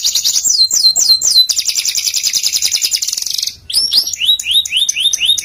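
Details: Canary masteran song: short descending whistles, a long buzzing trill, a brief pause, then clear repeated upslurred notes.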